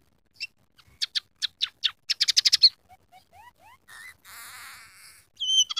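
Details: Scaly-breasted munia singing a song laced with canary, sparrow and red siskin phrases: accelerating sharp chirps, a run of soft rising whistles, a harsh buzzy rasp, then high whistled notes.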